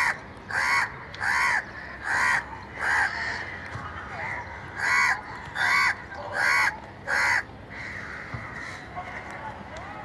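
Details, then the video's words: A crow calling in a long series of rough, nasal caws, around nine in quick succession with brief pauses, each harsh and slightly downslurred, then quieter background. "Crow Bird Crowing Sound | Crow Ki Awaz Naturally"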